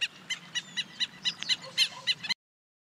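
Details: Southern lapwing, one of a pair attacking the person filming them: harsh, scratchy notes repeated about four times a second in a steady series for over two seconds, then sudden silence; faint low rumble underneath.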